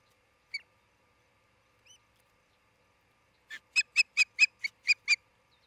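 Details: Osprey on its nest in Charlo, Montana, recorded by a nest cam on 27 June 2018, late morning: two faint single notes, then a loud, clean series of seven sharp, piping chirps about four per second in otherwise silent surroundings.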